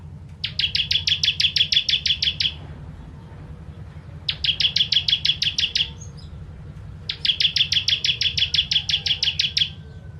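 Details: Bar-winged prinia, known locally as ciblek, singing the 'kristal tembakan pedas' style used as a master song for training songbirds: three bursts of rapid, evenly repeated sharp chirps, about eight per second, each burst lasting about two seconds, over a steady low hum.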